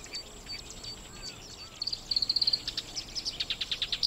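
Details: Black-browed reed warbler in Watarase grassland, Japan, breeding season, sitting on eggs; scattered high notes open into a rapid, rhythmic string of sharp chips and trills, growing louder toward the close.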